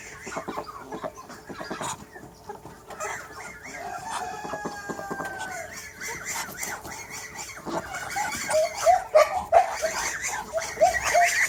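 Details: Backyard chickens and roosters on a farm keeping over 100 animals: scattered short clucks, a faint drawn-out crow midway, then louder rapid clucking toward the end amid background rustling.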